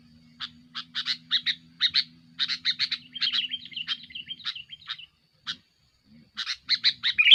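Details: Aggressive sooty-headed bulbul song aimed at rivals and used for luring: a string of quick, sharp chirps that runs into a bubbling warble, a pause, then another lively burst.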